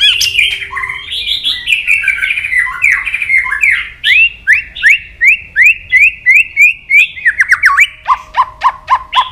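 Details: White-rumped shama, excited and fired up, making its 'tạch' clicks and flicking its tail on the perch floor. Loud, varied whistled song of slurred rising and falling phrases, then a fast run of sharp, repeated descending notes near the end.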